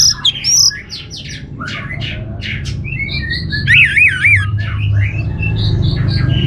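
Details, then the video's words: Lure song of an orange-headed thrush, north Bali, used to prompt other birds to sing: scattered sharp chips and whistles, then a quick wavering warbled trill, followed by clear mid-high whistles, with a low background hum. "ANIS MERAH Cor Suara Penggoda Membuat Burung Kenceng Jadi Ngeplong Lanjut Teler"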